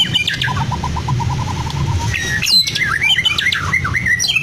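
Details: Caged Medan white-rumped shama from Blora, a mimic of lovebird, canary and cililin, gives an even series of about a dozen quick mid-pitched pips, then a jumble of squeaky rising and falling chirps.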